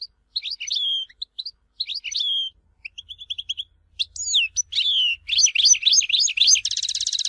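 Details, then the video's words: Tizi Ouzou European goldfinch song: short phrases of sharp, high chirps with brief pauses, building into quick, slurred tinkling notes and closing with a rapid buzzy rattle. "Chant chardonneret tizi ouzou تغريد حسون تيزي وزو"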